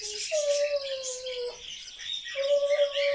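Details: Talkative pet grey parrot, reportedly chattering all day, gives a short low note, then two long clear level whistles with faint harmonics and a brief pause between them.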